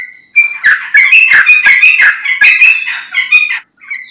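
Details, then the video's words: A Yellow-vented Bulbul, used as a lure call to draw replies from other bulbuls, pours out a fast, bubbly chatter of liquid mid-pitched notes for about three seconds, punctuated by sharp clicks, then a short whistled note. "Trucukan Bahan, Ombyokan Langsung Nyaut Dengar Suara Trucukan Gacor ini"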